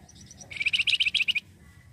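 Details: Flamboyan bird song used as a lure to draw in other birds: one fast burst of about ten bright, chirping notes lasting under a second, evenly spaced, over a low background hum.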